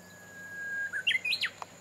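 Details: Japanese bush warbler singing while hidden from view: a long, steady, level whistle held for almost a second, then a quick burst of rising and falling notes ending in a sharp accent, over quiet background hiss.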